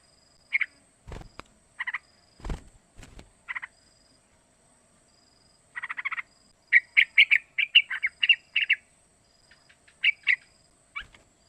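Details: Calls of a three-month-old sooty-headed bulbul used as a tutor for young birds: isolated chirps and short bursts building to a rapid chattering series, with a few thumps.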